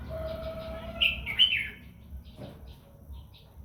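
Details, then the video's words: Red-whiskered bulbul in morning voice-training song meant to set other birds singing: two short, bright, bubbling phrases, with a long steady whistle and soft chirps from other birds around them. "chào mào mũ hót gọi bổi luyện giọng buổi sáng kích chim hót căng lửa"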